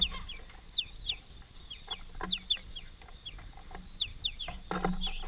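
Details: A greenfinch family feeding at a workplace gives short, high, down-slurred notes, often in quick pairs, repeated roughly every second, over soft clicks and a low background rumble.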